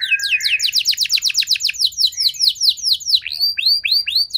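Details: Trainer song of a canary, played to prompt other canaries to respond. A fast series of descending sweeps forms a rolling trill, followed by slower arched upswept whistles repeated about twice a second.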